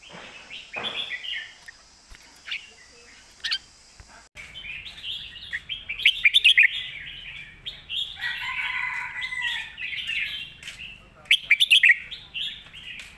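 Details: Red-whiskered bulbul, a competition bird, delivering a full-bodied master-song style in rich, chattering warbled phrases. The phrases grow denser midway and are punctuated twice by clusters of sharp, ringing notes.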